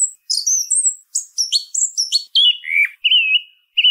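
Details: Song thrush singing: a run of high, varied squeaky and chirping phrases, then a clear whistled note repeated three times with short gaps. No other sounds in the background.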